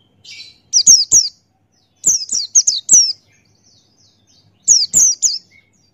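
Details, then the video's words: Singing male Buxtoni white-eye in 'ngalas' style for tutoring other birds: three bursts of high, slurred, falling chirps, two to five notes each, spaced irregularly over a few seconds. "Masteran Pleci Buxtoni Ngalas Buka Paruh"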